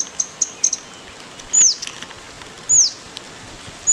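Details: Birds in Goa, India: thin, very high chirps, first quick ticking notes, then a few longer sharply down-slurred whistles spaced about a second apart, over a soft background hiss.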